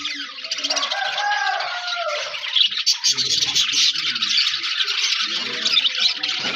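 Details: Budgerigars in an aviary colony, many birds chattering at once in a dense, continuous high warble with scratchy trills; a lower, drawn-out tonal sound rises and falls near the start.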